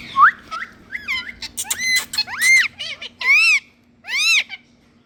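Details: Green parrots from India, described as talking, give a lively series of squeaky, arching screeches and short chattering notes, some loud upslurred-then-down calls, with a faint steady hum underneath.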